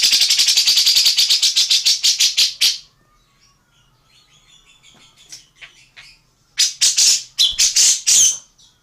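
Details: Model song for training other birds, from the Indonesian tengkek buto or cucak jenggot: a long harsh rattle of rapid pulses slowing and fading, quiet soft chirps, then several loud explosive buzzy bursts.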